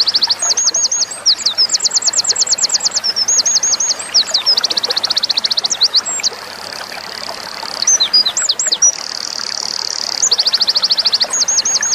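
Winter Wren singing a long, high, tumbling song of rapid trills and sharp twittering notes that runs almost without pause.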